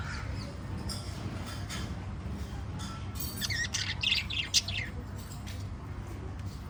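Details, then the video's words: Chirping from a group of five lovebirds: quiet at first, then a busy cluster of sharp, scratchy chirps in the middle of the clip, fading again, with a constant low hum behind. "Five Little LOVE Birds Chirping Sound"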